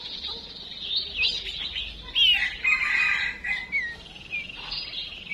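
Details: Female chim chuyền songbird calling as a decoy so males will sing; dense, high, rapidly trilled and twittering notes, loudest in the middle, against faint low hum.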